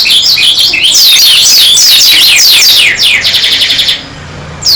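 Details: Oriental white-eye, a pleci dakun singing hard with open beak: a dense, fast stream of high, sharply falling sweeping notes, many per second, ending in a brief lull before one more sweep.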